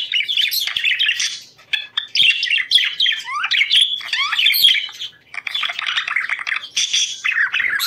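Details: Budgerigars singing to stimulate breeding condition: a dense, continuous chattering warble of squeaky chirps, trills and short rising whistles, nearly unbroken for eight seconds with brief dips.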